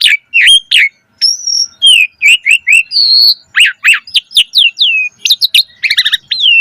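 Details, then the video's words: Javan pied starling in lively full song, played to train young birds: a steady flow of short whistles, one long high level whistle, downslurred notes and rapid chips, with brief gaps between phrases. "Pancingan Jalak Suren Gacor Mompa Masteran Burung Jalak Muda Cepat Bunyi Gacor Full Isian Mewah"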